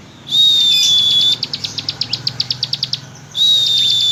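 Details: Bar-winged prinia in ngebren style: a short run of quick, sharp high notes between two stretches of a steady, pure high whistle, with a low hum throughout.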